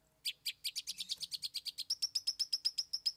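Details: Cendet (long-tailed shrike) singing its 'isian' filler material: a quick, steady series of about twenty sharp notes. Early notes are scratchy and buzzy, and later ones turn into a clean, piercing, high repeated chip.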